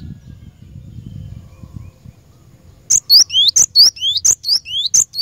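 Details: Cinereous tit, a wild-caught bird singing for training caged birds: after a quiet start, a fast run of high, sharp upslurred whistled notes, loud and clear.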